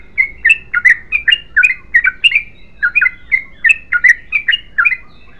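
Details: Yellow-vented bulbul singing a long continuous song: bright, chirpy notes repeated rapidly, about three per second, with a steady bubbling rhythm and faint low background hum.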